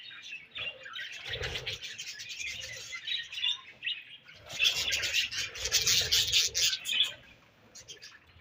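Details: Budgies eating their favourite food produce a dense, buzzy, high warble of many overlapping chirps, swelling louder in the second half, with low thuds from pecking.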